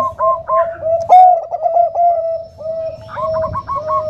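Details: Soft-voiced Bangkok-type zebra dove, a female calling to a male with the nutut voice. Stuttering, gentle coos run in short bursts, with one sharp click near the start and fast repeated notes at the end.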